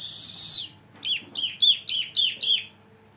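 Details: Caged bar-winged prinia bred in captivity, still not fully in song, opening with a sustained high whistle and then a run of about six sharp, evenly spaced chirps.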